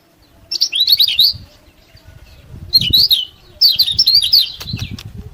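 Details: Lemon-bellied white-eye (kecial kuning) singing to rouse other birds: three bursts of fast, high, sweeping twittered notes, each under a second long, with soft low rumbling noise between.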